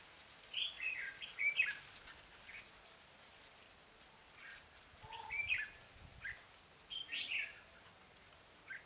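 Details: Red-whiskered bulbul kept as a lure for wild birds, delivering short sweet warbled phrases every few seconds, interspersed with softer chirps over a faint background hiss.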